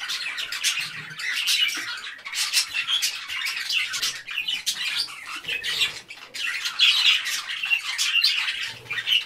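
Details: Several parakeets chattering continuously in overlapping scratchy chirps and squawks, a busy, unbroken jumble of grating notes with occasional louder peaks.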